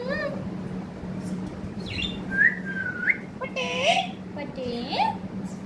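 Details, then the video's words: Sweet-talking pet parrot mixing short whistled rising notes with speech-like wavering syllables and a brief harsh burst, spaced phrases over a steady low background hum. "Pyaari baate karne wala tota"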